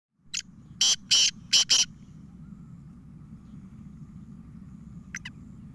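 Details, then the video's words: Black francolin calling: a harsh, grating phrase of five clipped notes, one short note then four longer rasping ones, over a steady low rumble, followed by a faint short note pair later. "(black francolin voice) kala teeter ke awaz"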